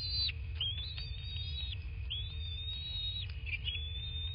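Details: Bald eagle on a southwest Florida nest, nest camera at 23:19 on 13 March 2024: a sequence of long, clear, high whistled notes, each level or gently falling and ending abruptly, with a brief chirp between; low hum underneath.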